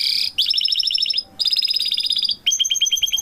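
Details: Canary parents with a chick, giving loud rapid trills in three runs separated by short pauses, the notes buzzy and repeated quickly, the last run with evenly spaced clipped notes.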